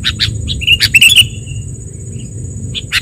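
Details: Sooty-headed bulbul song used as a lure for trapping and training birds: bright whistled notes and a brief slurred phrase, with chirps before and after, over a steady high insect-like hum and low rumble.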